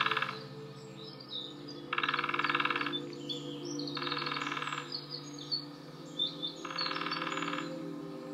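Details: Female lesser spotted woodpecker (Dryobates minor), one of a calling and drumming pair in woodland in Nottinghamshire, UK, drums four even, rapid rolls of about a second each, roughly two seconds apart, over a low hum and faint chirps.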